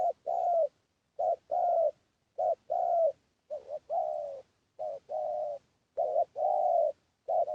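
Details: Recorded spotted dove coos used as a lure: a steady series of low cooing phrases, each a clipped note followed by a drawn-out one, spaced about a second apart against silence.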